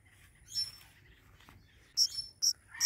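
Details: A pet Indian ringneck parakeet, kept as a talking parrot, is touched and gives a thin, high squeak, then a quick run of three or four sharp, piercing chirps near the end; no clear words are heard.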